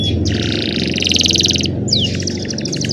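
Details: Young canaries singing to train other canaries, recorded by phone: a dense buzzy rolling trill, a sharp downward slur, then another pulsing roll, over noticeable low-pitched background rumble.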